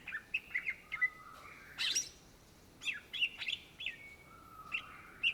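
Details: Greater green leafbird (cucak ijo), an Indonesian native bird, in lively song: clusters of bright chirps and whistles, long falling and level whistled notes, with pauses between phrases.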